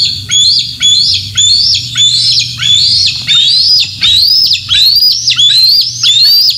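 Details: Juvenile bald eagle at the Decorah North nest, Iowa, on a summer morning of 27 June 2024, in mantle posture; a series of high, thin squealing chatters, each rising then dropping, repeated roughly every half second, with faint low hum beneath.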